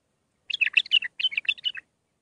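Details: Young-bird training recording of a bulbul's Mandali-style song: a quick warbled phrase of liquid, rolling notes in two short bursts with a tiny break between.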